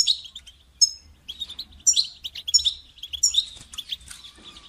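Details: Caged goldfinch motivation recording of a European goldfinch: loud sharp chirps and liquid twitters, irregular, about eighty-eight notes a minute, mixed with buzzy trilled passages.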